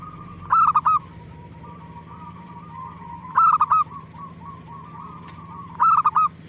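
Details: Lure song of a zebra dove (perkutut), played to get other doves calling back: three stuttering coo phrases roughly every 2.5 seconds, with a quieter wavering coo between and a steady low hum behind.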